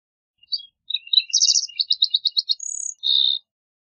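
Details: Green-tailed towhee song of short whistled notes, a dense buzzy trill and a steady series of quick repeated notes, closing with a thin high whistle and a burry buzz.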